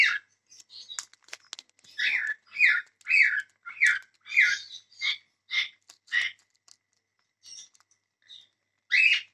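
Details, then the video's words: Cockatiel calling in a rapid series of harsh, scratchy chirps repeated roughly every half second, trailing off into softer notes before one final loud call. "Beautiful cockatiel Birds"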